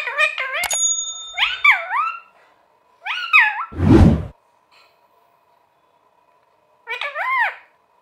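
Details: Talking parrot utters repeated curling, up-and-down syllables in short phrases separated by pauses, with a brief high steady tone near the start and a dull thud in the middle.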